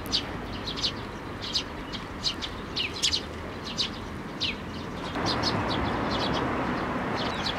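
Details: Sparrows hopping onto a hand to be fed at a Tenmangu shrine, 19 May 2024, give short high chirps in quick, uneven succession, several a second at times; steady background hiss becomes louder over the final seconds.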